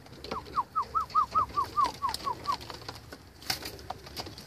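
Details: Red bar racing homing pigeons, with a rapid series of about eleven arched, squeaky notes at an even pitch, roughly two per second, then a sharp knock and light shuffling.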